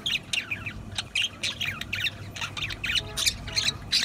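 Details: Budgerigars squawking and warbling in rapid rasping bursts about every third of a second, loud scratchy chirps layered over a low rumbling background.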